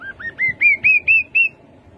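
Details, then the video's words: Rufous-capped babbler giving a single phrase of seven clear piping notes, each a quick upward slur, the series rising in pitch and loudness at a steady pace of about four notes per second. "Khướu bụi đầu đỏ. tiếng khướu đầu đỏ"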